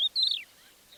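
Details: Crested lark near Divnoye village, Manych, northern Stavropol, early morning of 21 April 2024, gives short phrases of indignation or mild alarm rather than song: a clear, high whistled note, then a longer fluty one sliding downward, in quiet open country.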